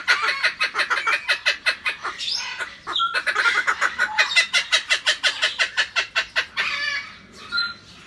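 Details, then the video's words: A kookaburra sings in rhythmic bursts of harsh, chuckling notes, about three each second. Brief pauses break the run, and a few higher, clearer hooting notes mix in near the middle and end. "kookaburra singing"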